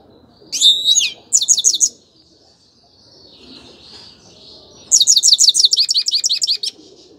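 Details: Grey-crowned goldfinch singing: a short burst of high, bright twittering notes, a pause with faint hiss, then a longer run of quick, evenly spaced chirps that slide downward.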